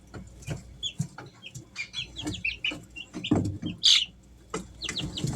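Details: A brood of three-week-old Easter Egger chicks at home: clear rising and falling peeps spaced irregularly, mixed with scratching, pecking taps and one sharp louder squeak.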